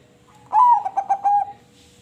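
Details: Melodious crossbred zebra dove cooing: a slightly falling first note, a tight cluster of short pulsed coos and a long even final note, with a quiet steady hum behind.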